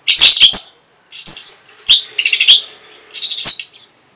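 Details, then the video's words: Orange-headed thrush reacting to a lure sound, delivering dense, scratchy high chattering mixed with clear whistled slurs in several fast, loud phrases. "Reaksi ANIS MERAH Saat Dipancing Suara Ini !! Langsung Nyaut"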